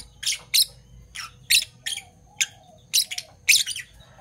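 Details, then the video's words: Parblue violet and parblue turquoise Fischer's lovebirds in the morning giving loud, shrill, harsh chirps in short bursts, often doubled, roughly two or three per second, with quiet pauses between. "Lovebird Chirping Sounds - Parblue Violet Fischer & Parblue Torquoise Fischer"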